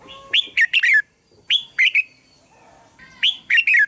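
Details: Red-whiskered bulbul song meant to draw in bulbuls: three lively phrases of three or four quick bright chirps, falling slightly at the end, about a second apart.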